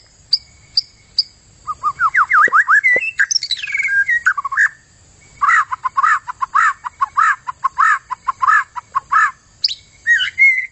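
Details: White-rumped shama singing, recorded as tutoring material for contest birds: a few sharp high notes, then a fast series of rising whistles, a descending slur, and a long run of rapid rhythmic buzzy notes.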